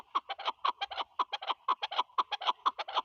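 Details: Chukar partridge, named as Pakistan's national bird, uttering quick, hoarse, clucking chuck notes in a tight, uneven series of roughly four per second, strong and clear against a quiet background.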